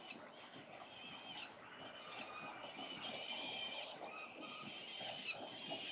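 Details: Peregrine falcon chicks, wild, on a building nest ledge at 367 Collins, morning of 25 October 2022, recorded by a live-stream camera; rasping, sustained calls that swell and fade over steady urban traffic rumble.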